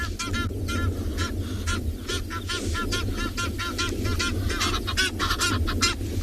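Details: At least four Egyptian geese at sunrise in the Kalahari, South Africa, in December, coming down to a small water hole, honk in a rapid, overlapping chorus of harsh, nasal calls, several each second, over a steady low rumble.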